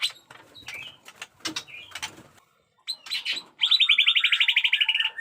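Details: White-rumped shama of the jenggot dewa type, a caged fighter singing muntah beling style: scratchy, clicking broken notes in short bursts, a brief gap, then a loud high buzzy trill pulsing steadily for over a second.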